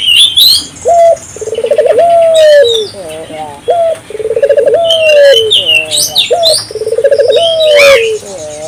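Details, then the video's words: Local turtle dove calling loudly and repeatedly, used as a lure to stimulate other local doves to call; rolling purred coos with drawn-out tones repeat about every three seconds, with high chirping from other small birds throughout. "suara burung puter gacor,merangsang burung puter lokal ikut gacor"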